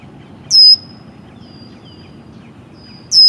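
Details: Male red-winged blackbird at Green Cay Wetlands, Boynton Beach, Florida, in mid April 2023: two loud sharp high whistled notes about two and a half seconds apart, each sliding into a long thin steady high whistle, over a faint low background rumble.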